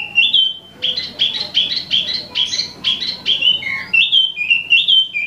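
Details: Imported Wambi mini, also called Tieu Mi, a bird for sale singing actively: a clear whistled opening note, then a quick run of repeated bright chirped phrases, ending in falling and rising whistles, with faint low background hum.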